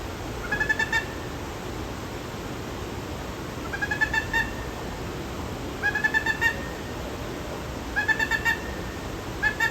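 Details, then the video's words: Peruvian thick-knee giving soft bursts of short, rising piping notes, each burst lasting about a second and repeated every two seconds or so over a steady background hiss. "What Sound does a Peruvian Thick-knee Make?"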